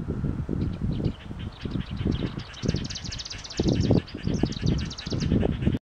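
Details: Marsh grassbird in Chiba Prefecture, Japan, on 29 March 2021: a rapid run of thin, high ticking notes building into a quick chattering burst, over steady low rumbling wind noise.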